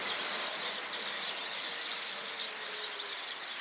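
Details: Flock of Eurasian tree sparrows chirping together in a dense, continuous chorus of overlapping high, thin tweets, recorded 26 November 2024, with a steady outdoor background hiss.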